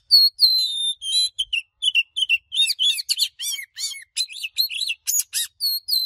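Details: Oriental magpie-robin sung in the heated 'căng lửa' style with voice-switching phrases. It opens with long high whistles, then turns into rapid chattering, buzzy bursts and downward-curving notes. Nothing else is audible.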